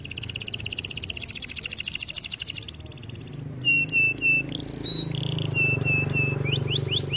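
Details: Singing canary used as training song: a rapid buzzy trill, then pure flat whistles and short notes, ending in rising sweeps, over a steady low hum.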